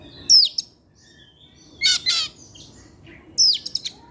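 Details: Oriental magpie-robin kept in captivity, heard singing in the evening: a sharp descending whistle, then a pair of harsh buzzy notes, then another falling whistle with clipped chips, separated by brief silences.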